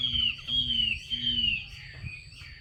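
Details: Female Chinese hwamei call meant to stimulate males to sing: three long clear whistles, each sliding gently downward, with a faint low hum beneath.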